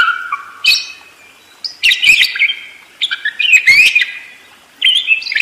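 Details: Warbling budgerigar song: bursts of squeaky whistles, metallic clicks and chattering notes separated by brief gaps.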